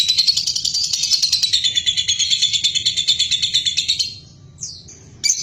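A lovebird gives fast, shrill, buzzy chatter, about three notes a second, for four seconds. Two brief high chirps follow after a pause.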